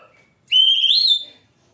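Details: Oriental magpie-robin giving a single sustained, pure whistle that climbs gradually and then fades, preceded by faint soft notes.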